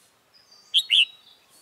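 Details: During a wild bulbul trapping session on 28 February 2017, a red-whiskered bulbul of the 'Mí lửa' type calls a crisp two-syllable phrase, short chirp then a longer rounded note, with a faint thin whistle in the background.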